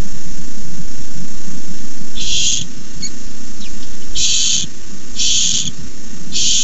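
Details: Barn owl nest camera during a rat delivery: begging as a run of four harsh hissing screeches, irregularly spaced, with a faint thin tick between, over constant low hum.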